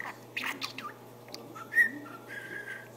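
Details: Pet budgerigar talking: a short run of squeaky, chattering syllables followed by a clear whistled note and sustained flat whistles near the end, with a steady low hum beneath.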